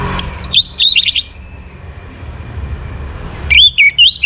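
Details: Orange-headed thrush singing in the morning, a recording meant to bring birds into breeding condition: loud, clear phrases of sharp whistled notes, rising and falling, in two bursts with a quiet gap between.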